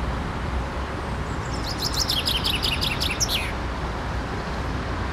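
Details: Chaffinch in a park, met on the way to work and recorded with a Canon SX30 IS camera: one fast descending series of bright chipping notes over about two seconds, ending in a lower flourish, over steady traffic rumble.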